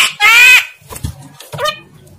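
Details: Javan myna imitating speech, with indistinct words. A loud, raspy, voice-like syllable about half a second long opens, then faint clicks and a shorter nasal syllable in a quiet indoor setting.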